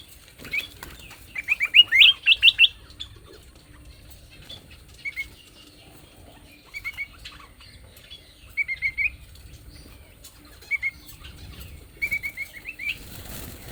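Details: Leafbird singing in a chattering sequence of short, sweet chirped notes, rising and falling quickly, given in clusters every two to three seconds, with soft rustling and flutter sounds between bursts.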